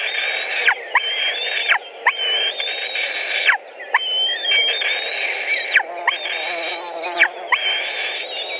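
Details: At a Latvian white-tailed eagle nest on 14 June 2019, while birds are fed pike and rabbit: a run of six sustained, level, squealing whistles, each about a second long and dropping sharply at the end, separated by brief gaps, over a constant low background hum.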